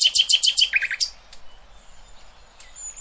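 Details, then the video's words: Nightingale song used to train young goldfinches and hybrids: five loud, rapid, harsh repeated notes, then three quicker lower chips and a final sharp note, followed by near silence with a faint high tone. "اقوى تغريد طائر العندليب"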